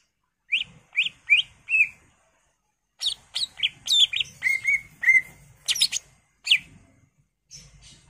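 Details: Greater green leafbird (cucak ijo) in lively, continuous full-isian song: four short descending whistles, a brief pause, then a dense burst of varied chirps, slurred whistles and level notes.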